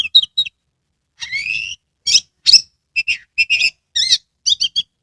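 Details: Oriental magpie-robin in a cage, a lure song for getting other kacer to sing: a long buzzy rising whistle, then sharp high notes and rapid repeated chirps in tight clusters, clean background.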